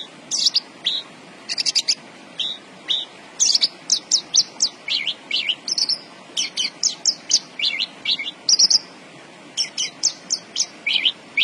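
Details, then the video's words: Javan bush lark, a caged bird in full song, pours out a fast run of high sharp chirps, trills and slurred whistles, notes packed several per second with brief gaps. "BURUNG BRANJANGAN GACOR BOSSKU"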